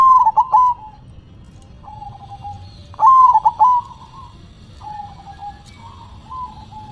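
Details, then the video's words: Perkutut (zebra dove) manggung song: two loud bursts of rapid staccato cooing notes about three seconds apart, each trailed by softer level trilled coos, with quiet pauses between phrases. "Perkutut BERDZIKIR, Manggung nya Geleng -geleng Kepala"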